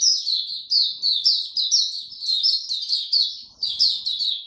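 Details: A white-eye sings on 26 March 2022 in warm, very humid conditions. Lively high-pitched chattering of short downward-slurred notes, repeated rapidly in uneven clusters, with a clean, quiet background.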